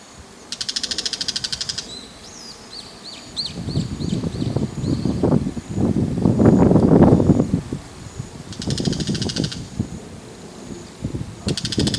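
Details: Two Bull-headed shrikes perched on an antenna, each holding food in its bill, give harsh, rasping chatter calls (not song) in bursts of about a second, with a few thin high notes between, over loud low rustling.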